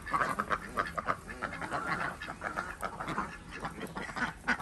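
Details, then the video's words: Flock of Desi ducks kept on a village farm in Andhra Pradesh, heard while eggs are gathered in the morning: continuous hoarse quacking from many birds, overlapping and irregular, with frequent loud peaks. "Collectig Duck Eggs Day 92 | Duck Egg | Desi Duck"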